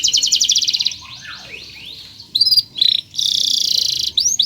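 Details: Canary chirping in a long song intended as a lesson for young birds: a rapid pulsing trill, a soft gliding descending whistle, then separated bright chirps and a steady buzzy roll, with light background hiss.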